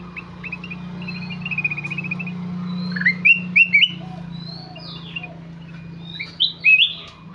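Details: Kutilang emas singing energetically, with a fast stuttering run of high chirps, then loud slurred whistles and upward-sweeping notes in short bursts over a low background hum.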